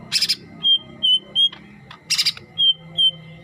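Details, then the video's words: Green leafbird, yellow-headed form, alternating loud buzzy chattering bursts with clear level whistles, roughly two whistles after each burst, over a low hum and steady high tone. "Merdunya suara burung Cucak Hijau kepala kuning"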